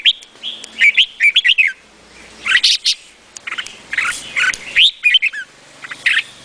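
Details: Red-whiskered bulbul singing in bursts of rapid, liquid, up-and-down whistled phrases separated by short pauses, with a few sharper clipped notes between the phrases.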